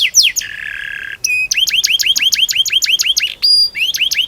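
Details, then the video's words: Young-canary training song from a persistent 'gacor' canary: brief falling whistles, a coarse buzzy stretch, a fast series of rising hooked notes, a short pure high tone, then more rising notes. "Burung kenari gacor panjang Cuit Cuit ngerol Pancingan Kenari Paud belajar bunyi"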